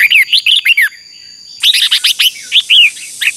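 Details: A red-whiskered bulbul sings in voice training, bright liquid warbled notes dipping and rising in quick phrases, in two bursts split by a brief pause over a faint high hum; used as a decoy song for training other bulbuls.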